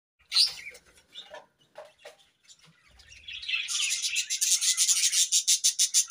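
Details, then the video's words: Budgerigars chirping in the morning: scattered warbling chirps early, then a dense run of rapid, evenly pulsed buzzy chatter, about three notes a second, building louder toward the end. "Budgies' Morning Chirping Sounds"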